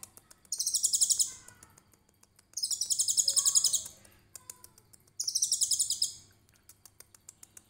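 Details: Konin trotol song for training other songbirds, 'tembakan cililin' style: three evenly spaced, high, buzzy trills of about one second each, every two to three seconds, with faint lower notes and ticks between.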